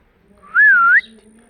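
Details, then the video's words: A blue Indian ringneck (rose-ringed) parakeet, a pet talking parrot, gives one clear half-second whistle that rises, dips slightly, then sweeps up again at the end, in an otherwise quiet room. "Talking parrot Making Natural sound/voice"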